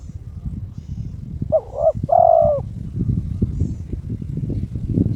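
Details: A pet spotted dove, aroused and challenging an opponent, gives one phrase of a quick double coo and a sustained coo over steady low rumbling background noise.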